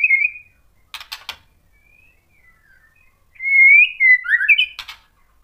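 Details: White-rumped shama provoking song: soft, scattered whistles with a few dry clicks, followed by a louder run of descending and rising fluted notes.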